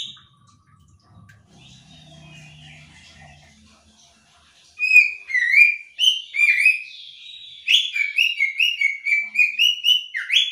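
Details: Female oriental magpie-robin in ngobra calling meant to prompt males to answer: after about five seconds of near quiet with faint low sounds, rapid swooping whistled notes begin and quicken into a dense repeated series.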